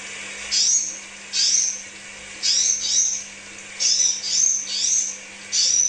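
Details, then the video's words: Crimson sunbird singing a pancingan, or lure song, meant to stimulate birds to sing. Shrill, high twittering phrases come in short bursts about once a second, some doubled. A constant faint low hum lies beneath. "Therapy Pancingan Kolibri Sepah Raja"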